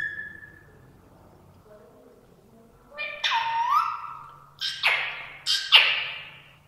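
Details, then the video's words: Female ring-necked parakeet talking and making voices: a thin steady tone, then several loud, harsh, voice-like utterances that sweep downward, the last ones in quick succession. "Parrot making beautiful voices"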